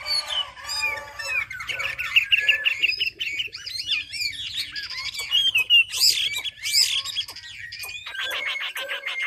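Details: Chinese hwamei from Hà Giang in Vietnam, singing as a model for training birds: a long, varied medley of whistles, quick trills and looping slurred notes, rising to bright high bursts near the end.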